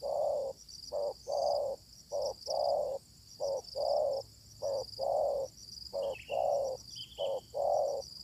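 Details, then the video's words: Spotted dove answering a decoy during luring. A regular run of soft, low coos alternates a brief note with a longer, fuller one, repeating steadily about once a second. Insects buzz high in the background. "Pikat tekukur ketemu tekukur liar garang"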